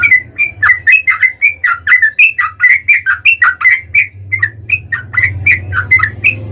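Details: Chattering yellow-vented bulbul, a 'ropel' song played so other bulbuls answer: steady stream of bubbly, slurred notes rising and dipping, evenly repeated for several seconds over a low hum.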